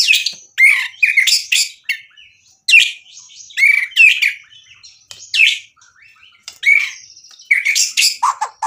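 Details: Active White-rumped shama song meant to stir other shamas to reply: short bursts of harsh, chattering notes mixed with quick whistles, given in clusters separated by brief pauses.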